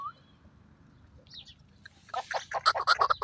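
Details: Chukar partridge, the kiklik or chakor of Pakistan, starts quietly with a few faint notes, then breaks into a rapid run of loud, harsh chuck notes repeated about three per second.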